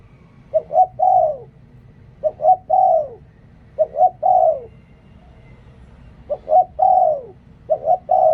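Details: Decoy spotted dove singing five repeated coo phrases, each a quick pair of short notes and then a long, slightly falling coo, with brief pauses between phrases.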